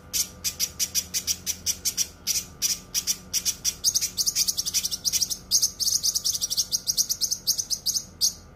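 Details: Cucak kinoi song, dense and sharp: a fast, high-pitched stream of short metallic chips and buzzy notes repeated several times per second in long unbroken runs, with a quiet steady hum beneath.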